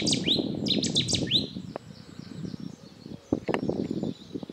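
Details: A Cetti's warbler at Tophill Low Nature Reserve, Yorkshire, in April 2016 gives a sudden burst of four sharp, high, down-slurred notes in just over a second, with low wind rumble continuing after it stops.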